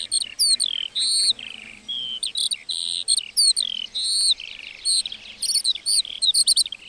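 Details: Meadow lark song pours out as a fast, varied stream of high chirps, trills and downslurred whistles, rarely pausing for more than a moment.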